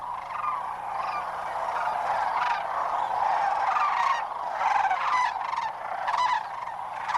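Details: A large flock of sandhill cranes at a dusk river roost during the late-winter spring migration gathering in North America: rolling, trumpeting bugles overlap without pause, with brief louder bursts rising above the steady din.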